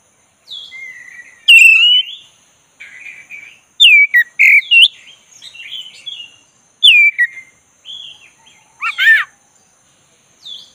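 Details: Easy rolling song from a black-breasted Oriental magpie-robin, meant to rouse a listless bird: spaced loud downslurred whistles with soft chattering between phrases, one grating burst late on, and a faint steady high tone throughout.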